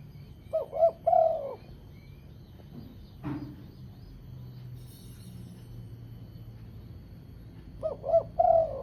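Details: Spotted dove lure call: a three-part coo, two short notes then a longer one, at the start and repeated at the end, with a soft thump and low rumbling noise in between.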